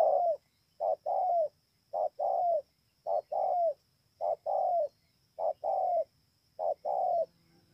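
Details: Spotted dove from Kon Tum, Vietnam, recorded 28 November 2017. It repeats a rhythmic coo pattern, a short note followed by a longer slurred note, about seven such pairs evenly spaced across eight seconds, against quiet background.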